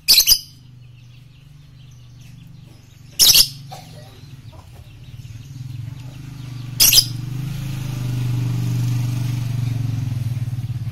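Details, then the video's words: Three short, harsh, high lovebird screeches spaced a few seconds apart, over a low droning hum that grows louder toward the end; part of a masteran training song for morning, noon and night. "masteran Lovebird pagi siang dan malam"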